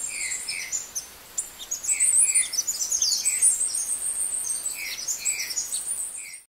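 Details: Opal-rumped tanager (Tangara cyanomelas) recorded in Porto Seguro, Bahia: thin, very high sibilant tsit notes in quick irregular bursts, short lower chirps every second or so, faint background hiss.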